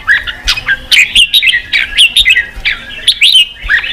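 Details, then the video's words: Red-whiskered bulbul singing, used to provoke wild-caught birds into fighting: a loud, rapid run of bright chirps and short warbled phrases, each note bending up or down, tightly packed with only brief gaps. "Kích chào mào bổi đấu, luyện chào mào sổ giọng, kích chào mào căng lửa"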